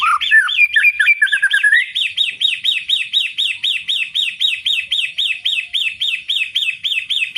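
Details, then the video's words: White-rumped shama delivering loud ngeplong song: a rising whistle and quick varied notes, then a long even series of identical sharp, high, upswept chirps repeated rapidly, about eight per second. "Suara ngeplong keras || Burung murai"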